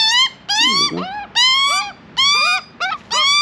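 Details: Juvenile Australian magpie in Australia begging for food near a person offering food by hand: loud, harsh, nasal squawks with rising pitch, about five in a row with short gaps, and a brief low human voice.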